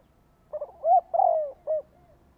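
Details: Spotted dove lure call in a single phrase: a short doubled note, a rising coo, a long gently falling coo and one last brief coo, with a quiet low hum behind.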